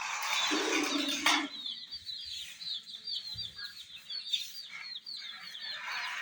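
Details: Chicks gathered around a miniature toy jeep: after a brief rushing noise at the start, a rapid series of short, high peeps follows, roughly three per second, with overlapping chirps from several birds.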